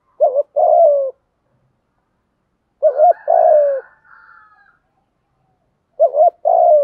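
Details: 'Thúc gù' coo of a spotted dove for provoking doves: three phrases spaced about two and a half seconds apart, each a wavering double note leading into a longer low falling coo, with a faint murmur after the second.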